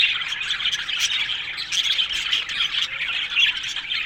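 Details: Australian budgies in a crowded aviary give harsh squawks and quick chirps together, a loud, restless flock chatter with brief peaks of sharper calls.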